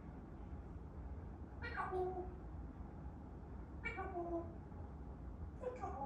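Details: African grey parrot giving three separate drawn-out harmonic calls, each sliding downward and spaced about two seconds apart, over a low steady background hum.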